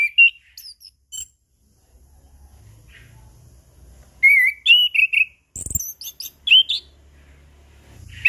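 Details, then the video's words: Loud slurred whistles and chips from a chestnut-capped thrush, in scattered bursts with high twittering mid-phrase. The song is used as a lure to get silent birds singing again. "Anis Kembang Ngeplong Pagi Siang Sore - PAncingan Burung Anis Kembang Macet Bunyi"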